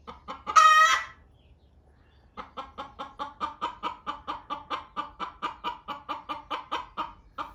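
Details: Hen clucking loudly in a barn while another hen lays her egg: one loud harsh squawk, then a long steady run of evenly spaced clucks, about four per second.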